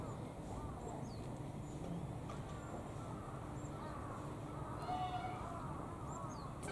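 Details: Five call ducks, seemingly hungry, wait before a manager's room door for food, giving scattered, nasal quacks, short and rising-and-falling, at an uneven pace over a steady low rumble.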